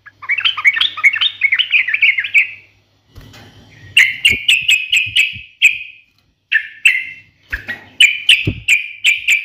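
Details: Yellow-vented bulbul singing a keen fighting-style song meant to make rival birds answer: a fluid warbled run, then a series of clear, evenly repeated falling whistles, with brief low rustling thumps in the background.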